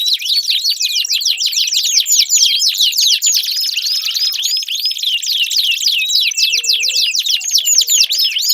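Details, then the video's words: Canary song meant to prompt a silent canary into singing: continuous rapid trills of sharply sweeping high notes, rolling without pause, with faint lower chirps from other birds in the background. "Pancingan Ampuh Kenari Gacor Panjang, 4 Suara Burung Kenari Ampuh Untuk Pancingan Kenari Macet Bunyi"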